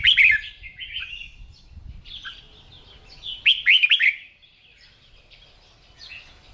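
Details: Red-whiskered bulbul kept for singing, being trained to sing in the morning in Vietnam; a bright burst of slurred whistles opens, then softer chatter, then a second loud cluster of swooping notes, with light low rumble underneath.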